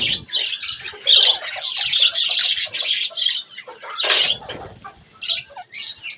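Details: Budgerigars at bath time give rasping warbles and squawks in quick succession, mixed with soft wing flutters and splashing.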